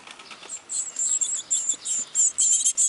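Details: Great tit (Parus major) nestlings with newly opened eyes beg for food during cold weather in the Netherlands, a thin, very high, squeaky chorus of short bursts, about three each second, with no other clear sounds.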